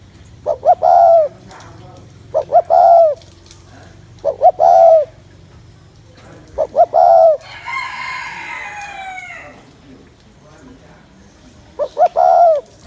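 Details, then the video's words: Spotted dove cooing to stir up males quickly in trapping; four spaced phrases of two short notes and a longer coo, with a rooster crowing midway and a low background hum. "Tiếng Chim Cu Gáy Gù Kích Bổi Mau Lên Lửa"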